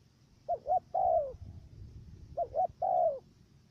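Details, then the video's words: Decoy dove used for trapping wild doves in Cà Mau, Vietnam, giving a stuttering coo. Two low phrases about two seconds apart, each two short quick hoots then a longer falling coo, over a faint low rumble. "Bổi thổ gù cà lăm tiếng đầu"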